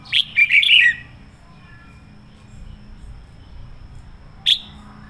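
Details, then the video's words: Red-whiskered bulbul, a decoy bird, singing a strong sổ bọng-style phrase: a burst of quick, bubbly whistled notes, then near silence with faint low noise, ending with a single sharp chirp. "Chào mào mồi hót sổ bọng căng lửa"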